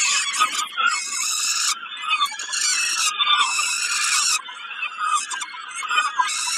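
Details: Peregrine falcon calling while snacking at Kawęczyn, 20 May 2022; rough, squealing cries run on in uneven surges, loudness rising and falling over several seconds with a few short pauses.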